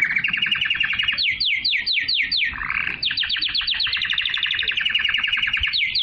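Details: Canary singing pure canary song to stimulate females to mate and to tutor young birds: repeated sharply falling whistled sweeps, then a rapid rolling trill that carries on without pause.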